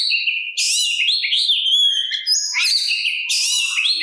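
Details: Oriental magpie-robin song meant to stir other magpie-robins to answer: unbroken fast medley of bright whistles, rising slurs and harsh buzzy bursts.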